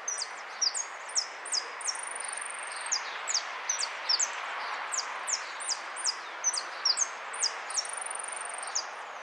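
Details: Rapid high chips and slurred notes from a goldfinch run almost continuously, with two sustained thin buzzy whistles inserted along the way, over soft background noise.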